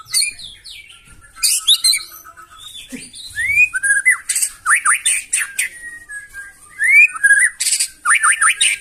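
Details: Harsh, loud White-rumped shama song meant to stir other birds into answering, with scratchy high bursts, rising whistled notes repeated in pairs and triples, and quick sweeping slurs over a quiet background.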